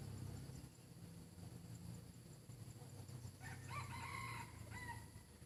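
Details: A decoy rooster, described as beautiful with a very good voice, crows once near the end: a wavering, harmonic call about a second long, then a brief trailing note, over a steady low rumble.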